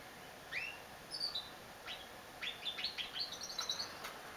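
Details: A female canary sings high, thin chirps and short slurred notes, first scattered, then a quicker run of bright tweets, over a soft steady hiss.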